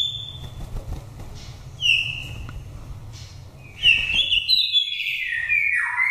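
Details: Wild-voiced lure song of an oriental magpie-robin from Daklak, Vietnam, a nest-raised five-season bird, used to excite or trap birds: brief separate whistles, then a rich run of fast, varied warbling notes that drop lower at the end.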